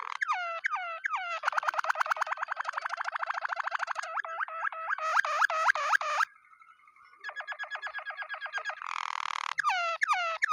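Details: Waterslager canary singing: rapid rolling, gurgling tours of repeated notes, some bubbling fast and others slower and bell-like, with a brief hollow whistled pause before the rolls resume.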